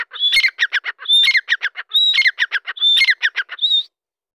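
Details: Grey francolin, known locally as Dakkni teetar, calling loudly: a high whistled note followed by a quick run of harsh, ringing notes, the phrase repeated four times at about one-second intervals and ending on a last whistle.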